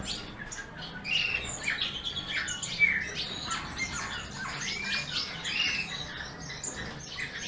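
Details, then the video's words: Eurasian bullfinch (Pyrrhula pyrrhula) singing while eating: a soft, scratchy warble of short creaky and piping notes, mid to high pitched, running on without pause over a faint steady background hiss. "bullfinch singing"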